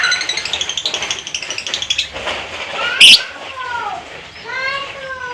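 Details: Lovebird, a fighter-type bird giving a long ngekek trill recording used to prompt other lovebirds to sing. A rapid, evenly repeated chattering trill runs for about two and a half seconds, followed by a sharp burst and several slurred, descending whistled notes.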